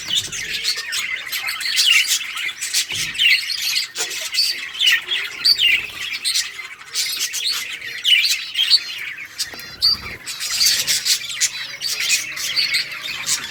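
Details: Playing budgerigars of many colours chirping in a colony, August 25, 2023; long unbroken chorus of high chirps, warbles and squawks from numerous birds.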